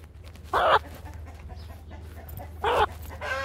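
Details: Brahma rooster attacking: two loud raspy squawks roughly two seconds apart, the last one running into a rising tonal cry, with a low continuous hum behind.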